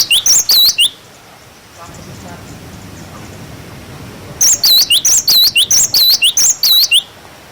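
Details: Cinereous tit singing wucit wucit, a clear tutor song for young birds: bright high whistled two-note figures, dipping then rising, repeated rapidly in two bursts split by a few seconds of quiet background hiss.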